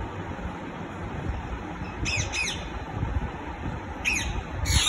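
A parrot gives harsh, grating squawks in two quick pairs, a couple of seconds apart, over a steady low rumble of background noise.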